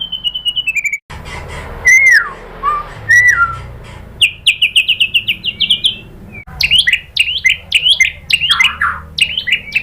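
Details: White-rumped shama song used to provoke singing: a short high trill, loud clear downslurred whistles, then fast series of sharp rising chips and varied slurred notes.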